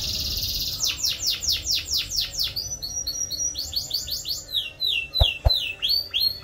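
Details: Yellow canary song: a strong rolling series of downswept notes, then a faster chattering section and rising whistled phrases, with two sharp clicks near the end.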